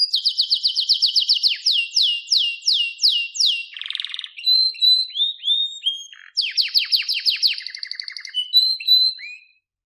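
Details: Canary in full song, recorded to coach another canary: long series of descending whistled notes, slowing as it goes, a brief harsh burst, then quick trills and sweeping notes before fading out.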